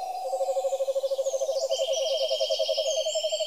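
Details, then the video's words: Owl calling with a fast, even trill of mid-pitched pulses lasting over three seconds, with high insect buzzing behind it. "The Most Beautiful Owl in The World And Its Voice"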